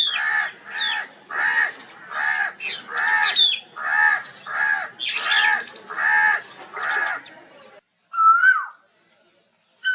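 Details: Loud crow calling: a dense string of harsh caws, some overlapping as several birds join in, followed near the end by a short whistled note from another bird.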